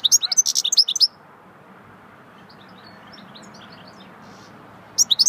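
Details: Goldfinch singing in the swittey song style: a one-second burst of rapid, high tinkling twitters, a stretch of faint scattered chirps over background hiss, then a second quick twittering burst at the end.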